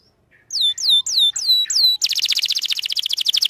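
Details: Canary in 'gacor' lure song meant to teach young canaries: after a soft start, five clear high whistles sweep downward one by one, then the bird launches into a dense, rapid rolling trill.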